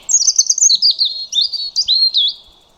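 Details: European robin singing a clear, loud phrase of high, thin warbled notes and quick trills, sliding down from very high pitches into a series of liquid twittering notes lasting under three seconds.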